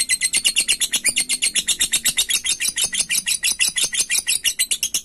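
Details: Lovebird's long ngekek chatter, calling out to a rival: a fast run of shrill, buzzy high notes, roughly two per second, sustained throughout with a faint low hum beneath.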